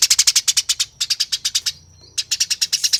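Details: Fighting Eurasian tree sparrow gives rapid, tightly spaced harsh chirps in three bursts separated by a brief pause. A faint high whistle fills the gap.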